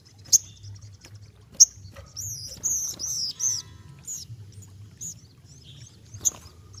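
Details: Ruby-cheeked sunbird in lively song: sharp, high ticks separated by pauses, with a run of wavering, whistled, arching notes in the middle, quiet and somewhat distant.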